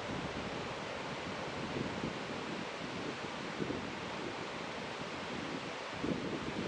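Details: Wind buffeting the microphone over a steady rushing background, and no birds audible.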